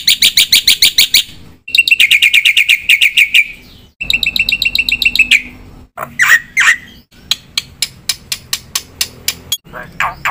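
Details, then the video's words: Black-winged myna in lively song full of mimicked phrases: fast buzzy chirp trains, a harsh double squawk, then a slower series of sharp clicking notes repeated about once every half second. "jalak putih gacor suara full isian"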